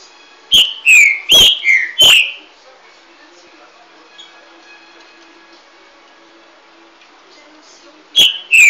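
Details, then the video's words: Green-winged saltator (trinca-ferro) gives a fast phrase of five loud, clear whistled notes, each slurring downward, then after a quiet pause starts the phrase again. "trinca ferro"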